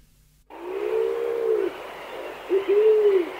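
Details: Chilean pigeon (Patagioenas araucana) in Chile giving deep, hollow cooing hoots: one long, slightly arched note, then a brief pause and a short lead-in note before a second drawn-out hoot.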